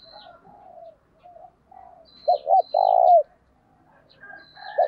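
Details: Spotted dove decoy calling to draw in other doves in an urging 'thúc' style: soft low coos lead to one loud phrase of two quick notes and a long drawn coo, with thin high chirps above.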